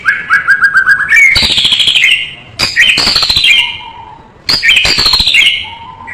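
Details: White-rumped shama singing full varied song as a tutor recording: a rapid trill of short notes, then loud harsh grating bursts with high whistles, alternating with soft low whistled notes.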